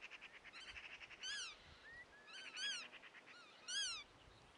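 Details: Godwits cry in short clusters of harsh, harmonic, arched notes about once a second, after a brief buzzy trill, with one faint rising whistle in between.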